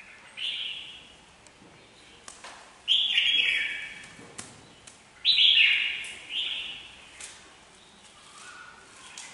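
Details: Red-whiskered bulbul delivering a string of clear, liquid phrases, some falling in pitch, grouped in bursts every two to three seconds, with light tapping sounds between.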